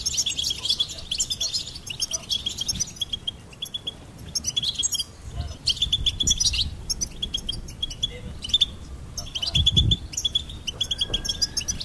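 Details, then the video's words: Extended goldfinch singing: repeated phrases of bright, high twittering and fast chip runs, pausing briefly between phrases, with occasional low thuds behind. "Goldfinch Singing and Song Compilation"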